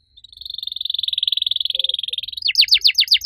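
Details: Loud canary singing in a unique style, a long rolling trill swelling in volume, then a series of sharp descending whistled notes; faint low background rumble.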